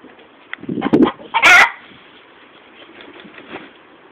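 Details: Hen after laying an egg: a short burst of clucks, then one loud, harsh squawk, followed by near quiet with a few faint clucks.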